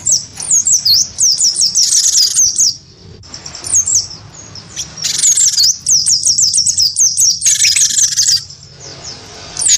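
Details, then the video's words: Provoked by a white-eye, a wingko cinereous tit sings a combative song of rapid high chipping whistles in bursts, separated by short pauses and scratchy buzzy phrases. "gelatik batu wingko gacor pancing bunyi tarung sama burung pleci"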